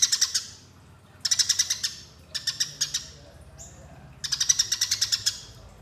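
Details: Eurasian tree sparrows in a fighting call used as a lure: bursts of rapid, harsh chirps, each burst lasting under a second with short pauses between, four bursts in all.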